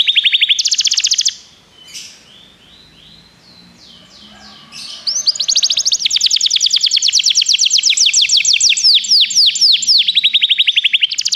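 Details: Canary in song for training: a loud rapid trill, then a quieter stretch with soft scattered notes, before a long, dense run of quick repeated sweeping syllables carries to the end.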